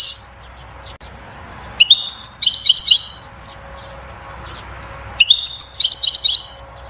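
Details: Song of a European goldfinch, given to prompt the female to mate and build a nest: two tinkling, rapid twitter phrases of high chirps, each about a second long, about three seconds apart.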